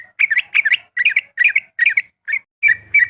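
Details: Yellow-vented bulbul (trucukan) in ropel-style dawn song, played as a mental test for other birds: bright chattering whistled phrases repeated about twice a second, a short gap, then two longer clear notes.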